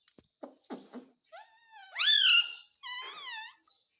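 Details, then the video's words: Pet Indian ringneck parakeet imitating Hindi words such as mummy and mitthu: raspy clicks, a level tone, then a loud arched harmonic syllable and a wavering voice-like phrase. "Bolne wala tota - mummy mummy bolta tota - talking parrot - mitthu mitthu"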